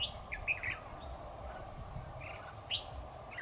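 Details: Red-whiskered bulbul trapping on 7 October 2019, a decoy bird calling to lure a dominant local rival; short bright chirped and whistled notes in scattered bursts, some rising, over a steady low hum and rustling outdoors.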